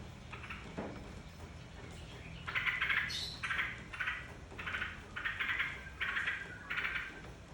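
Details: Yellow-vented bulbul song played as a lure to get other bulbuls singing: short bubbly chattering bursts, about one every half to one second, after a quieter start. Faint steady high tone and low background hum throughout.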